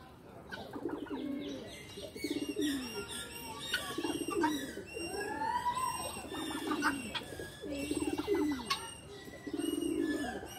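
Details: Pigeons in a loft give deep, throaty cooing phrases every couple of seconds, overlapping one another, with wing flutters and higher chirps and clicks from other birds.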